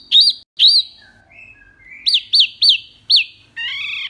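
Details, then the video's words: A mini wambi sings loud and clear: arched whistled notes, soft low slurred whistles, then a series of sharp rising-falling chirps. A harsh buzzy note with stacked harmonics ends it. "BURUNG WAMBI MINI GACOR SUARA BANYAK LANTANG JERNIH"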